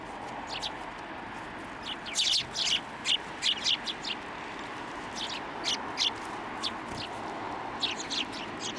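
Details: Sparrows coming to a hand to be fed at a Tenmangu shrine in December 2023; sharp high chirps in loose groups of two to four, with quieter gaps and a faint background hum.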